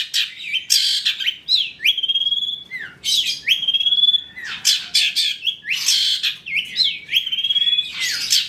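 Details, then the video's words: Long-tailed shrike song for luring shrikes into singing: repeated phrases of a harsh chatter running into a long clear rising whistle, each phrase roughly every one and a half seconds. "PANCINGAN CENDET TROTOL AGAR BUNYI, MASTERAN CENDET GACOR FULL ISIAN"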